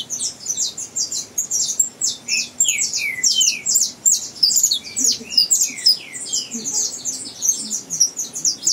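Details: Saffron finch juvenile from a breeder working on its song, with continuous jumbled high-pitched chirps and repeated short descending whistles midway through.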